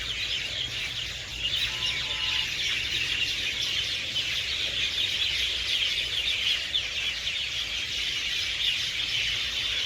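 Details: Evening chorus of hundreds of birds coming to roost in garden trees: dense, high chirping that swells slightly after the first second and stays loud, with a brief faint tone near the start.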